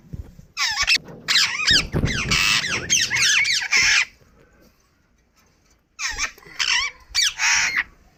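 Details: Pet Indian ringneck parrot calling. Loud harsh screeches come in rapid bursts, repeated several times per second for about three seconds. After a quiet pause, three more screeching bursts follow.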